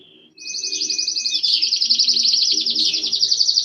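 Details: A copper Belgian canary sings eagerly in a fast, continuous stream of high, rapid trills and chirps, rolling without pause for several seconds, with a faint low hum underneath.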